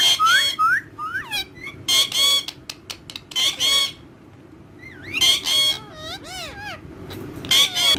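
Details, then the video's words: Several parrots together, one a pet said to talk in Urdu and Hindi; loud harsh screeching bursts repeat every second or so, mixed with wavy whistles and chatter. "Mitthu Having Fun And Talking With Other Parrots In Urdu Hindi"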